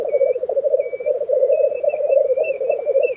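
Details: Black grouse lek, Tiveden, Sweden, April 2023: the dense low bubbling continues throughout, with a thin high whistled phrase from another bird repeated several times above it.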